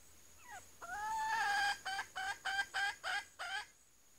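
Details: Female red junglefowl kept as a lure, still calling after being startled: a brief rising note, then a long harmonic call, followed by about six short, evenly spaced clucking notes in a quick series.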